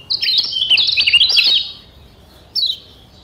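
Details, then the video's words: Lombok yellow white-eye, called kecial kuning, caged and used as a singing tutor; a fast, bubbling high-pitched twitter runs for about two seconds, followed after a pause by a single falling whistle. "Masteran Kecial Kuning PENYEGAR Ampuh Bikin Kecial SEHAT dan RAJIN BUNYI"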